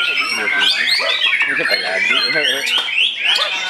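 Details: Caged white-rumped shama at a songbird practice contest in Indonesia, a dense run of varied whistled and chattering phrases, rapid sliding notes mixed with other contest birds, music and crowd noise.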